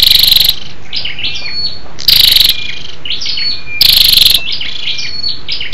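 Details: Female scarlet-backed flowerpecker lure call to stimulate males: three loud rasping rattles, each about half a second long and spaced under two seconds apart, with sharp high whistled chips between.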